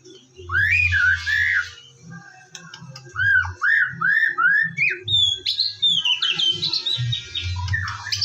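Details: Morning white-rumped shama song for luring shamas into singing: a burst of harsh notes, then a series of arched whistled phrases, followed by bright fluty and sweeping notes, with a low background hum.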